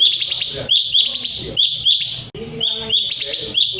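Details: Sooty-headed bulbul singing, played to provoke rivals into answering: loud, ringing chirps with buzzy tails, grouped in quick bursts about once a second, with some lower background chatter.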